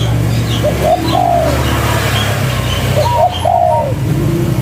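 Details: Vigorously calling local spotted dove, cetrekan style, giving two phrases of quick clipped introductory notes leading into a drawn-out soft descending coo, with a constant low rumble behind.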